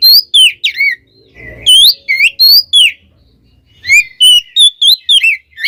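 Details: Oriental magpie-robin (kacer) song meant to provoke rival magpie-robins; rapid series of loud, clear whistled notes, rising and falling, with a brief pause midway before the quick whistles resume.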